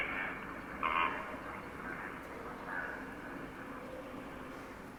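Flamingos give a few brief, nasal, goose-like honks, the clearest at about one second, over a steady wash of background noise.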